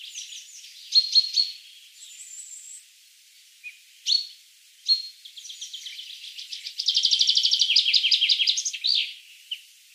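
Allen's hummingbird giving high, thin chips and squeaky twitters, ending in a rapid buzzy chatter run; faint background noise.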